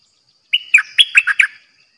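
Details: Caged bulbul used for decoy trapping gives one short burst of chirpy, whistled notes, the sharp syllables tumbling together within about a second.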